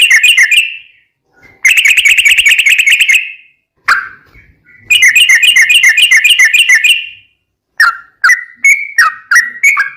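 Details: Sooty-headed bulbul song used as a tutor for caged birds: bursts of fast, evenly repeated bright notes forming long rapid trills, separated by short silences, ending in separate descending whistled notes.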